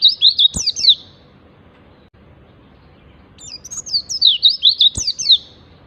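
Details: Ngalas-style song of the oriental white-eye, used to coax caged birds into singing: thin, high twittering notes racing up and down in short bursts, one phrase ending early and another starting after a pause, with sharp clicks.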